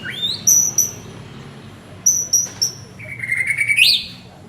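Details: White-rumped shama male calling to his partner, giving high piercing whistle notes in pairs, then a long, even, clear whistle that jumps upward sharply at the end.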